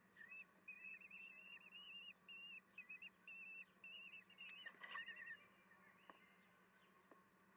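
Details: Common kestrel chicks at a wild nest give high, thin, whistled begging calls in quick bursts, about two a second, ending in a wheezy trill, over a steady low hum, during an evening feeding on 10 June 2022 around 18:30.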